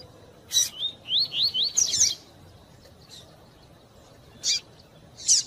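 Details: A double-collared seedeater (Sporophila caerulescens), a cage bird kept for song contests, gives a fast tui-tui song: a quick run of high, looping, slurred whistles, with sharp high chip notes before and after; the recording is billed as including female calls.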